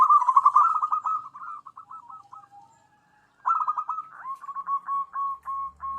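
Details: Zebra dove used as a lure to attract wild doves; loud rolling trilled coo fading into slower purring notes, a pause, then another burst followed by spaced hooked coos.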